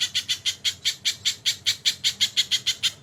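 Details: Crested jay with kingfisher call fills, heard as a short burst of loud, coarse squawk notes, about five each second, evenly paced.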